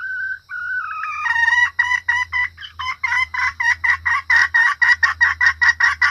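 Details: Female red junglefowl call used to lure males and other females: a drawn-out tone leads into a rapid series of harsh, clucking notes repeating about three per second, growing louder, over a faint low hum.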